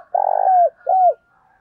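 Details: Fragment from a spotted dove lure bird with a thổ-style voice, used to provoke wild doves: a long rough, vibrating coo followed by a shorter smooth coo that slides downward.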